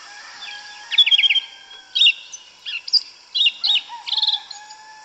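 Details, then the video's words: Wild 'canto mateiro' of a yellow-legged thrush in the woods: a continuous string of varied short phrases, quick trilled notes, squeaky slurs and sweet whistles, with soft lower steady tones and a constant high background hum. "Sabiá Una cantando no mato. Lindo canto mateiro da sabiá preta"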